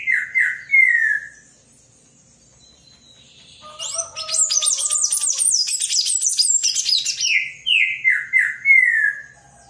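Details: Palm tanager: a handful of falling slurred whistles, a brief pause, then a rapid high twittering burst lasting about three seconds, followed again by a row of downward-slurred whistled notes.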